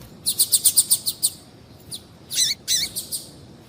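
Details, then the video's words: Female Double-collared seedeater calling to excite a male: a fast even series of about nine clipped high notes, then rougher, downslurred buzzy chirps. "fêmea de Coleiro Chamando Muito para Esquentar Coleiro"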